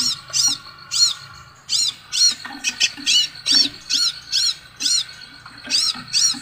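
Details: Shrill arched notes from a Scarlet sunbird, repeated steadily about twice per second, with a brief jumbled cluster near the start and light clicks underneath.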